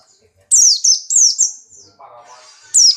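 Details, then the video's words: Caged Buxtoni white-eye, strongly in breeding condition, hopping while it fires out song: a string of loud, high, descending slurred notes, then a low murmuring sound and one more sharp note. "burung pleci Buxtoni birahi kencang loncat indah nembak"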